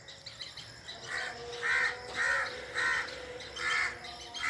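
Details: Bird calls in a forest: a series of about five hoarse, drawn-out notes, each roughly half a second long, rising out of a quiet humming background.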